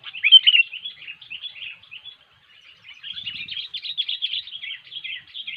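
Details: Sooty-headed bulbul in full gacor song, cengkram style, played to lure birds for trapping: a long, busy stream of chirpy, bubbling notes, briefly pausing midway, with clean, quiet surroundings.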